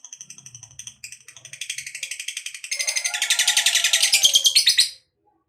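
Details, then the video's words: Lovebird starting with a few short high chirps, then building into a long, rapid chattering ngekek trill that grows louder before stopping abruptly; offered as a lure for other lovebirds to sing. "Suara Burung Lovebird Ngekek Panjang, TOP Buat Pancingan Lovebird Agar Cepat NGEKEK"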